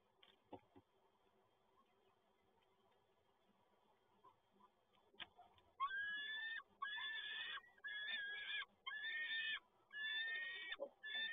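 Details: Peregrine falcon at PGE Toruń, 7 May 2022, as the male arrives with another prey delivery: after quiet background hum, loud harsh harmonic calls begin midway, repeated in bursts about once a second, each slurred and wailing.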